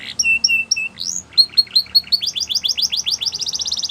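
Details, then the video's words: Canary chirping to set other canaries singing: paired whistled notes, then a rising run of short repeated notes that speeds into a rapid upswept trill. "All The Canaries Will Sing Along After Hearing This Canary Chirp"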